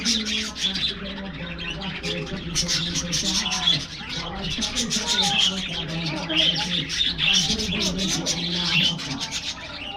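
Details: Morning budgerigar chatter from an aviary as the birds receive a diet treat: many overlapping high chirps and warbles, steady throughout, over a low humming or murmuring background.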